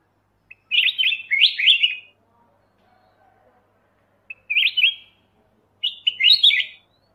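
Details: Three lively warbled phrases from a black-crested bulbul, the first longest, each a quick tumble of bright, bubbly notes with quiet gaps between.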